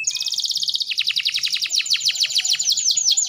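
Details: Song of a female canary in breeding condition, used to prompt males to sing: a dense high trill gives way to a fast run of sharply descending whistled notes, several per second.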